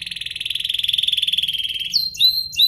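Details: Domestic canary, Serinus canaria domestica, singing to provoke other canaries into song: a fast, even, high trill held for about two seconds and falling slightly, then a few sharp rising whistled notes.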